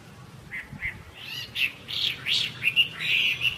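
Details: Chinese hwamei, a three-season bird fresh from moult: a few soft separate notes, then louder swooping whistles and sharp accented notes building quickly.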